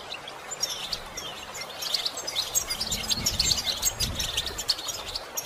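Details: Goldfinches and other songbirds twitter together in a busy stream of high, quick chirps and tinkling trills, with a faint low hum underneath.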